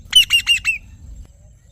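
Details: A parrot gives four quick, harsh, high chirps in a rapid burst lasting under a second, then falls silent, with only a low background hum.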